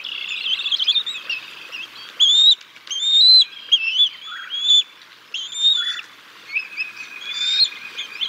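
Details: Bald eagles feeding chicks a fish at the Decorah North nest, 6 May 2022; irregular series of high, thin squealing whistles with short chittering notes between them.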